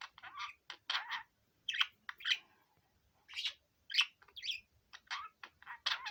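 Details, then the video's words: Five-year-old male pet budgerigar singing: a chattering warble of short broadband scratchy and buzzy notes in quick bursts, with brief pauses between groups and a quiet background. "セキセイインコのオス さえずり"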